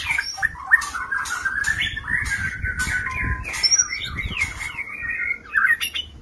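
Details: Caged male white-rumped shama courting a female in a minimalist stacked breeding setup gives a long, harsh, buzzy warbling stream of scratchy notes, with a few higher whistles and repeated sharp clicking knocks.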